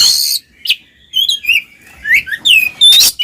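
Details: Twin Oriental magpie-robins singing ngeplong to get mute magpie-robins singing; a harsh opening burst followed by a string of sweet whistled slurs, chirps and warbles, ending with a loud scratchy note.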